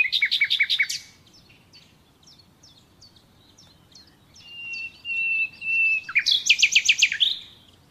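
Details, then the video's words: Common nightingale song: a quick rattling burst, soft high ticking notes, one long pure level whistle, then a fast series of loud repeated chopping notes. "Doğal Bülbül Sesi Dinle"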